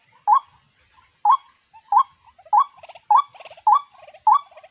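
A waterhen gives loud, hoarse croaking notes about once a second, each trailed by quick bubbling clucks; a thin steady insect-like whine runs beneath.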